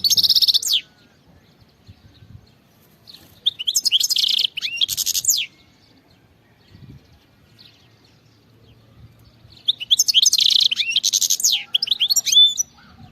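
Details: European goldfinch (Carduelis carduelis) singing in three bright bursts of rapid, tinkling twitters and liquid trills, high-pitched, separated by quiet pauses.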